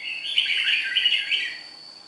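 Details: Nghệ An-origin red-whiskered bulbul, Vietnam, noted for a fine voice, pours out a continuous two-second run of fast, bright, slurred warbling notes. A steady high electronic-sounding whine lies beneath.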